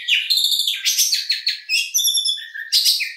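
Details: Oriental magpie-robin, kacer, with a lively varied song: stacked bright whistles, rapid trilled bursts and sharp sweeping notes in quick succession, ending in a high clear phrase.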